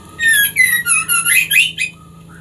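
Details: Caged female white-rumped shama singing to get a male into breeding condition; about six loud connected phrases of bright whistles layered with high buzzy notes, then a soft short whistle near the end over a low hum.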